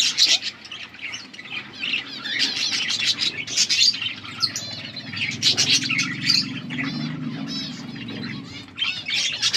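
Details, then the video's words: Many colourful budgies keep up a squawky chirping chorus, with raspy warbles and high squeaks overlapping nonstop over a steady low hum. "Beautiful budgies colour budgies chirping sounds"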